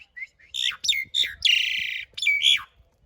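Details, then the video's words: Caged-bird training recording of Asian pied starling song with rough fill and long rolls: harsh grating notes, a drawn-out buzzy rasp and clear whistled slurs, delivered loud and close. "Suara masteran jalak suren isian kasar roll panjang"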